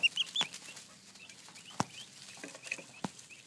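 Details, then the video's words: Turkey poults, young chicks, with a quick run of thin high peeps at the start, then sparse quieter chirps between a few sharp taps. "Poults say hello."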